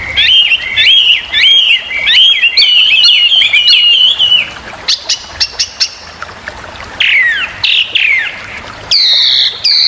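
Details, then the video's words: Chinese hwamei, a noisy, very vocal bird used as a training model for songbirds, repeating bright whistled upslurred phrases, then pausing with isolated clicks before loud descending whistles and a final burst of high notes. "burung wambi super berisik/Hwamei bird"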